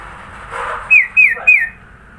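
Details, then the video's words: Varied isian-filled song of a sooty-headed bulbul, Sidoarjo, East Java: a soft warbling murmur followed by three bright downslurred whistles in quick, even succession, with quiet low rumble underneath. "Burung kutilang suara isian banyak"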